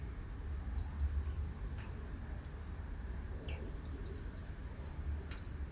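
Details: Luring blue-crowned hanging parrots at a new site: strings of sharp, very high chirps repeat in short bursts every second or so, set against a steady shrill background whine.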